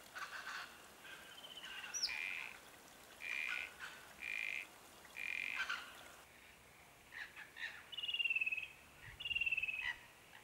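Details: South-eastern Glossy Black-Cockatoos (lathami) at a favoured foraging zone on the Kings Tableland, Blue Mountains, NSW, March–October 2022. Repeated wheezy, rasping calls roughly once a second, then a different bird's quick pulsed, falling trills, twice.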